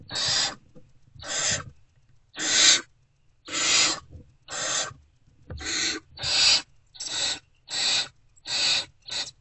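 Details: A dozen hissing, grating screeches in under ten seconds, coming faster toward the end, from unfed great horned owlets in their nest box as an adult returns before dawn, 3 March 2024.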